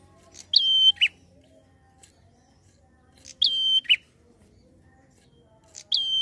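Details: A prinia (prenjak) lure recording meant to provoke other prinias gives a sharp chip, a long, steady high whistle and a second chip, the phrase repeating about every two and a half seconds.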